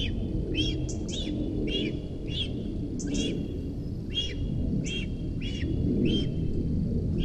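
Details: Begging calls from a young cinereous vulture at its nest in Sierra de Guadarrama National Park, Rascafría, as its mother comes in to feed it: a long steady series of arched chirps roughly every half second, with high squeaks and low rumbling noise.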